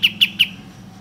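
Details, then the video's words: Bulbul used as a lure to make birds sing and fan their tails: three short, sharp chirps in quick succession, about one every fifth of a second, high and bright, over a low steady hum. "Pancingan Kapas Tembak Agar Bunyi Gacor dan Buka Ekor Tercepat"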